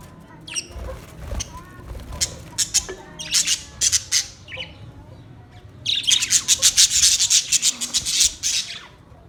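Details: Australian parrot giving harsh, raspy squawks in scattered bursts, then a dense run of rapid screeching notes repeated several times a second near the end, over faint low background rumble.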